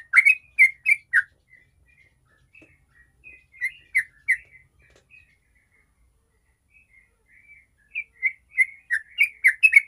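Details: Sooty-headed bulbul in rapid 'ropel' song, used to provoke other bulbuls into singing. Bursts of quick chirpy whistles open and close the passage, with a sparse, quieter stretch of scattered notes between.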